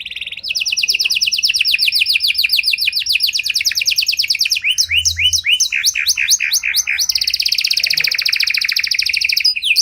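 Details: Panda canary singing a luxurious cengkok song meant to bait and train other canaries: continuous high rolling trills, switching between fast downslurred notes, choppy chip series and a dense buzzy roll, loud and unbroken.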